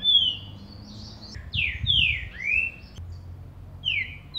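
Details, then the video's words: Green-winged saltator, played to stir up a captive saltator, sings loud, clear whistled phrases of downslurred and upslurred notes, a few per second, over a low background hum. "PARA ESQUENTAR MEU TRINCA FERRO"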